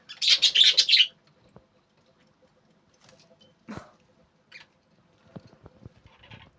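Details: A budgerigar, filmed while breeding, gives a loud burst of harsh, scratchy chirping, then scattered soft chirps and clicks.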